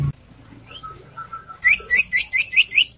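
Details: Young caged sirtu, its voice used to encourage other caged birds to sing, giving a series of seven sharp, rising chirped notes about every fifth of a second after a faint steady whistle.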